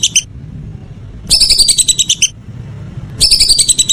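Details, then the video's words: Evening call of a whistling duck: short flurries of quick, high whistled chirps separated by gaps of about a second and a half, with a soft low background hum. "Suara burung belibis sore hari"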